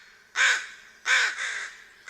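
American Crow giving harsh, nasal caws, two strong ones close together with a softer trailing caw and the start of another.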